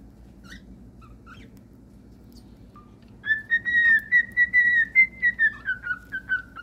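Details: A few faint chirps give way to a cockatiel's long whistled phrase of pulsed notes, gently rising then falling in pitch, sung over quiet background hum.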